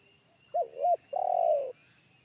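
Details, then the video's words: Spotted dove in the forest, a loud deep bass caller of the one-kuk style. Two short hooked coos are followed by a long, rough, rolling note, with a faint steady whine behind. "PIKAT AJARAN T4KUT MENDENGAR SUARA TEKUKUR INI‼️SUARA BESAR NGEBASS"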